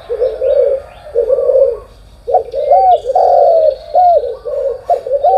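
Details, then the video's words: Morning cooing of spotted doves: a few soft, muffled coos, a brief pause, then louder throaty phrases with swooping notes, while small birds chirp faintly in the background. "cu gáy sáng"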